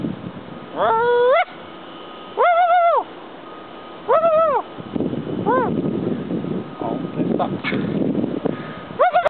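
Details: Turkeys answering a person who talks to them: separate drawn-out arched calls roughly every one to two seconds, with rustling, scuffling noise filling the gaps and a last call at the end.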